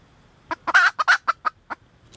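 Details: Red junglefowl hen giving a burst of short, clipped clucks around a drawn-out, grating note, the clucks slowing and fading toward the end.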